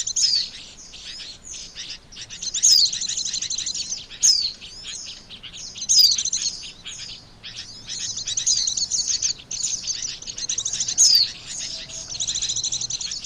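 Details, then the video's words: Oriental white-eye (pleci) call used as a lure for trapping birds: dense, high twittering chatter in rapid bursts, with sharp descending whistled notes every one to two seconds, brief pauses between phrases. "SUARA PIKAT BURUNG PLECI, AMPUH !!"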